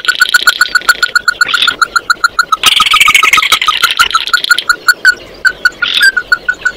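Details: Oriental white-eye calling its flock, with rapid rhythmic short notes throughout and a loud stretch of dense, buzzy high twittering in the middle.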